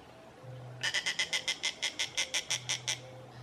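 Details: A juvenile Snail Kite at Lagoa do Queimado, Sítio Boa Vista, Pendências, Rio Grande do Norte, Brazil gives a rapid, steady series of about fifteen harsh, high chattering notes, roughly five per second, over a faint low hum.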